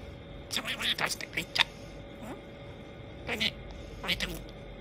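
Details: A pet budgerigar talking, its chatter growing more garbled, in quick, scratchy, speech-like bursts with a thin, high-pitched tone.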